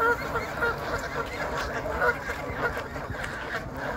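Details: Fighting Canada geese honk repeatedly, short nasal calls about every half second over constant background rumble and chatter.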